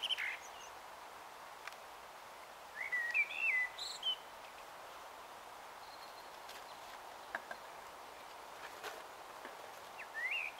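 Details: Common blackbird singing its evening song at dusk on 21 March 2018, about 18:12, in Taunton, Somerset; two short, quiet warbled phrases rising into high twittering flourishes, separated by long pauses over a steady background hiss.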